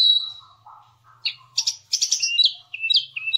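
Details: Javan cochoa (jongkangan) song for training cage songbirds. A long high whistle fades out, then a lower soft warble follows, then sharp bright chirps and descending whistled slurs.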